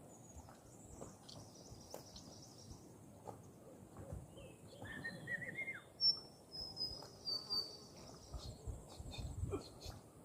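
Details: Birds in a forest giving short, high chirps and thin whistled notes, clustered mostly in the second half, over a steady low rustling background with faint broadband noise.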